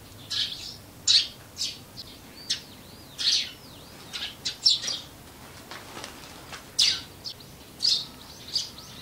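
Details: Wild Eurasian tree sparrows near human dwellings over the four seasons give repeated short, shrill chirps in irregular bursts, roughly every half second to two seconds, against a steady soft background hiss.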